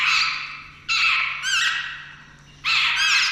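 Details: Jungle babbler at a nest of chicks due to fledge that day: three harsh, rasping squawks at irregular intervals, loud and high-pitched with a scratchy, noisy texture; a faint low hum beneath.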